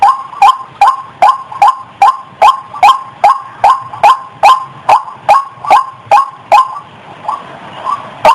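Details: Regular loud croaking notes, about two and a half per second, given by a breeding-condition female white-breasted waterhen about to mate. The rhythm slows and fades near the end before one final note.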